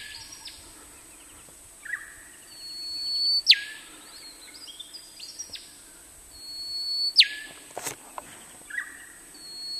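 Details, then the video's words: Male rufous whistler, Burnett region of Queensland, Australia, singing varied phrases: short whistles and ringing notes, then twice a building whistle snapped off by a loud descending whip-crack, with a sharp click near the end. "Beautiful Rufous Whistler birdsong"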